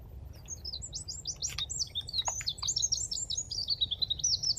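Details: Eurasian wren in the Dnipro river floodplain at Konche-Zaspa, Kyiv, Ukraine, singing its mating song on 17 February 2023; a long, loud, rapid cascade of shrill high notes and trills running over four seconds, with a few clicks below.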